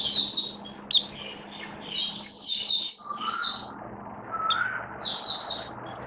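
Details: Caged oriental white-eye on its first day of a song-display booster test, 21 October 2022: shrill twittering phrases in clusters, interspersed with lower soft whistles and a faint background hum.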